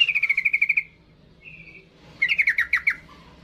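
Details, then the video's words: Yellow-vented bulbul, aggressive and seeking a rival: a quick series of repeated bright notes falling slightly, a brief softer phrase, then a chattering run of slurred descending notes over faint background hum. "suara trucukan gacor ngamuk mencari lawan"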